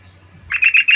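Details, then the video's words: Yellow-vented bulbul sound played as a lure to provoke other birds into calling: four quick harsh chattering notes, bright and buzzy, following half a second of quiet with a low hum underneath. "PANCINGAN SUARA BURUNG TRUCUKAN"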